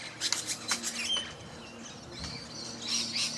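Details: Fighting rainbow lorikeets trade short, rasping high squawks in two bursts, one early and one late, separated by a quieter stretch, over a faint low hum.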